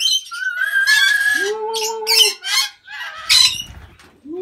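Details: Lorikeets inside an aviary give harsh, screechy squawks and shrill chatter, overlapping in a noisy flock; a lower, smooth human-like voice or whistle runs briefly beneath.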